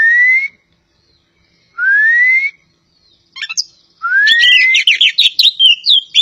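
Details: Javan kacer poci magpie-robin gives two long, pure, rising whistles separated by pauses. A sharp note follows, then another rising whistle leads into a fast burst of varied chirps and warbled phrases.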